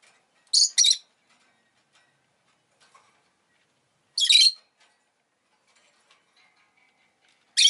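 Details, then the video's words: Rosy-faced lovebird producing a quick double screech, then a longer harsh chirp some three seconds later and another at the end, with faint clicks in between. "Lovebird Chirping Sounds"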